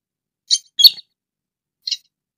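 Sintar lure call: three sharp, high chirps, two close together and one a second later, against silence.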